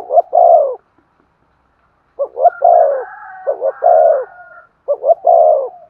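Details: Spotted dove giving a stimulating coo to prompt another dove to sing. Low phrases of two quick notes and a long rounded coo repeat with pauses, and a faint higher drawn-out tone runs over the middle phrases.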